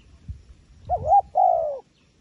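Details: Wild pigeon giving a two-part coo: a warbling, undulating first note, then a sustained mellow note that slides gently downward. There is soft low-pitched background noise before and during the call.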